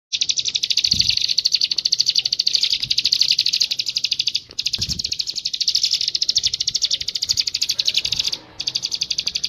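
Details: Bar-winged prinia singing loudly in a rapid, sustained trill of high, buzzy repeated notes, about ten per second, with brief pauses, faint low thumps beneath.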